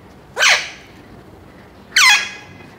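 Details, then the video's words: Young caged Alexandrine Parakeet, seven months old, calling loudly in the morning after waking: two harsh, descending squawks about one and a half seconds apart in a quiet room. "Parrot Talks In The Morning 🌅 || Parrot Sounds || Alexandrine Parakeet"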